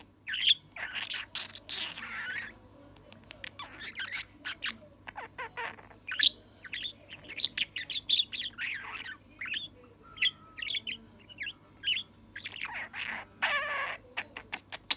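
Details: Young male pet budgerigar, not yet able to talk, chattering in bursts of high, scratchy chirps and squeaks with short pauses, over a faint low electrical hum.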